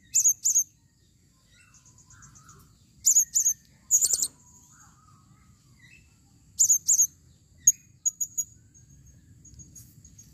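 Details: Female Blue-crowned hanging parrot calling: very high, shrill, sharp chirps delivered in quick doubled or tripled bursts, about five bursts over ten seconds, with faint softer twittering notes between them against a quiet background.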